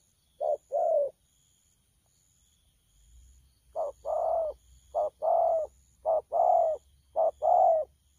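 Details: Young spotted dove called bổi, thổ pha cooing, 12 October 2019; one short-long coo pair, a quiet gap of about two seconds, then four more pairs of low hollow coos in quick succession.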